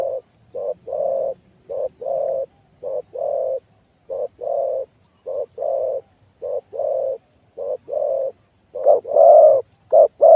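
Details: A decoy spotted dove with a notably loud, deep voice repeats paired coos steadily: a clipped note, then a longer rounded one. The pairs continue about once a second, with louder, fuller notes toward the end.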